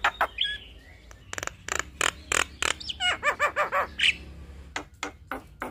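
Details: Javan myna singing, recorded for tutoring and provoking other starlings: harsh chack-like bursts in a loose rhythm, a run of quick bouncing looped notes, then a bright whistle and more rasping calls.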